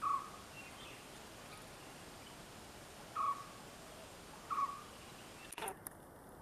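A common hawk-cuckoo gives three brief, clear whistled notes, a few seconds apart, over a quiet background, followed by a short sharp clatter.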